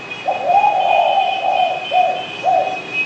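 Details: Derkuku, the spotted dove, cooing a drawn-out first note followed by three shorter low coos, with a steady thin high whine running steadily behind.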